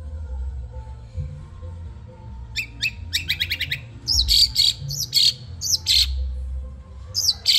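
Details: Madura long-tailed shrike kept in a cage for training: a varied run of sharp chirps, short rattles and squeaky, upward-swept notes in uneven phrases over a low indoor hum.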